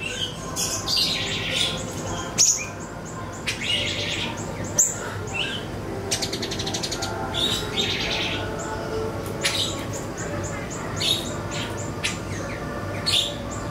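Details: Siri-siri song used as a lure for training songbirds: busy, scratchy chirping phrases and high ticks, with a burst of rapid clicking notes mid-way, continuing without pause over a hissy background.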